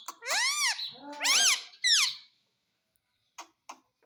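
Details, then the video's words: A pet talking parrot indoors gives three loud, harmonic, arching squawked syllables in quick succession, then silence broken by two faint clicks. "पापा मिट्ठू बोलने वाला तोता"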